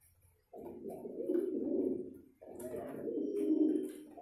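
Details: Pigeon courting, giving two long, low, rolling coos of nearly two seconds each, separated by a short pause, with faint rustling noises above.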